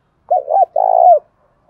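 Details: Spotted dove of the Đồng Thổ voice type, used to lure wild doves: one short, loud, low phrase of two notes, a brief wavering coo and then a longer steady coo that falls at the end.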